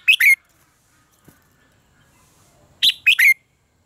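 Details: Red-whiskered bulbul contest song, offered as training audio to push other birds to sing: two short, sharp three-note phrases, each ending in a clear rising whistle, with a long silent gap between.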